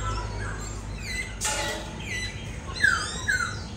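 A laughingthrush gives two clear, slurred whistles that fall in pitch, half a second apart, after softer chirps, a sharp rustling burst and a low background hum.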